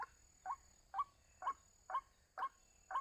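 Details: Lured white-breasted waterhen giving short, slightly rising knocking notes about twice a second, evenly paced, over a constant high-pitched hum.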